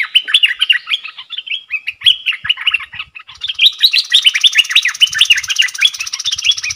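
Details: Caged bulbul singing in dok taeng style against wild birds, dated 03/10/2564: nonstop rapid whistled warbling with rising and falling notes, over a steady high hiss in the second half.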